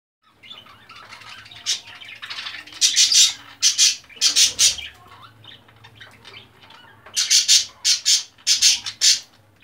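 Budgerigars give harsh, scratchy squawks in quick bursts while mating.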